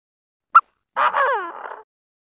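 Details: Chinese francolin (Francolinus pintadeanus) calling to each other: a sharp click, then one harsh, buzzy note sliding downward over about a second, in quiet surroundings.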